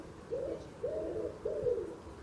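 Wood pigeon giving three soft, low, hollow coos, each about half a second long and evenly spaced, with faint background hiss.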